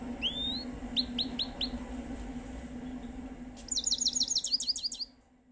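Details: Himalayan goldfinch: a few separate upslurred high whistles and short chips, then a fast, tinkling twittered run of about a dozen notes before the sound fades out.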